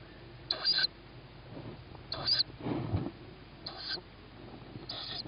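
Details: Young tawny owl begging at feeding time, 21 May 2017, 21:38, after hearing its mother. Four harsh, hissing screeches about 1.5 seconds apart, with a low rumbling scuffle in between.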